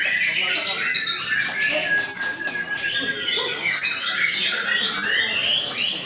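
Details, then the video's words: White-rumped shama in full song, a busy rush of mixed whistles, chattering runs and slurred notes, with a brief steady whistle near the middle and barely any break. "MURAI BATU SAMBER"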